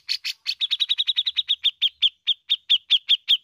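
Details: Bearded bulbul, a vocal bird from Indonesia, giving its ngepik song style. It delivers a rapid series of sharp, high chirped notes, about two or three a second, which start harsh and become clean, evenly spaced pips. There is no background noise.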